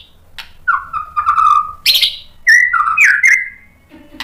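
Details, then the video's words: White-rumped shama lure song to prompt replies: a wavering mid-pitched whistle, a harsh high burst, then clear looping whistled notes and a faint low rasp at the end. "SUARA MURAI BATU biar EMOSI NYAUT jadi GACOR BONGKAR MATERI ISIAN | PANCINGAN MURAI"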